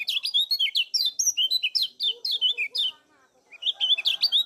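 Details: Lemon-bellied white-eye (kecial kuning) from Lombok, singing in energetic 'ngejos' style as a lure to stimulate other birds: rapid high, slurred chirps tumbling up and down, a brief pause, then resuming.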